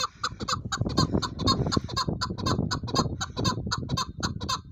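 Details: A Chukar Partridge gives harsh, clucking 'chuk' notes, about two per second, over a steady low rumble of background noise.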